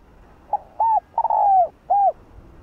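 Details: A 'hạp bổi'-voiced spotted dove gives one low, mellow phrase: a soft lead-in, a short hoot, a long downward-sliding coo and a final rounded hoot. The background is otherwise quiet.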